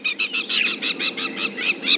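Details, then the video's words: Several very angry crowned lapwings give harsh, strident, high-pitched alarm notes, about five per second, overlapping, on a chilly 14 °C morning in a South African private game reserve. "Very angry crowned lapwings you can hear."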